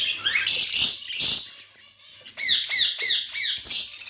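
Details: Budgerigar chirps: two loud scratchy bursts, a brief pause with a soft thin whistle, then a quick series of bright, downward-flicking chirps, each roughly a third of a second apart.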